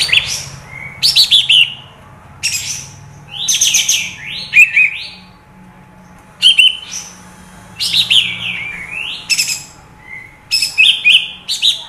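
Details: Kapas tembak bulbul, a recording used to provoke other birds into singing: bright, bubbly, chattering phrases in quick bursts about every second or two, with short pauses, over a faint steady hum.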